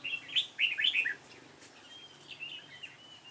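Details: Red-whiskered bulbul with a dark bib, recorded during decoy trapping on 28 February 2017. A quick, loud phrase of four or five bright, bubbling notes is followed by quieter, drawn-out whistles.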